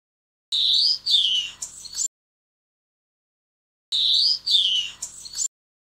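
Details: Two identical high, thin phrases from a grey-headed oliveback, about three and a half seconds apart, each a bright downward-sliding whistle followed by a quick squeaky flourish; background silent.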